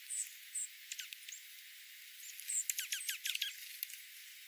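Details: Dark-eyed junco flock, possibly two or three varieties, in winter oak woodland at 1000 ft in the central Klamath foothills, giving thin, very high chips and quick downslurred twitters in an uneven burst, ending in a rapid cluster.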